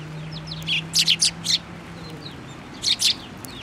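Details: Several sparrows on a plum-tree perch at a Tenmangu shrine, 10 February 2024, uttering a quick run of four high chirps, then a pause and two more, above a low steady hum.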